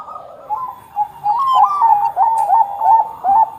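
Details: Zebra dove, Bangkok type, singing as a prompt for other doves to sing. Bubbling, whistled coos rise and fall in quick succession, with several brief louder notes near the end.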